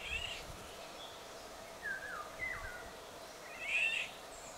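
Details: Eurasian golden orioles, several birds singing in western Poland, only briefly glimpsed: faint fluting, looping whistles at mid pitch, with a louder harsher note near the end, over a steady background hiss.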